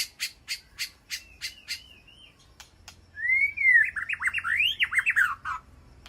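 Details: White-rumped shama in a peaceful aviary calling to its flock: a row of sharp evenly spaced clicks with a thin wavering whistle, then a loud tumbling phrase of rising and falling whistled notes.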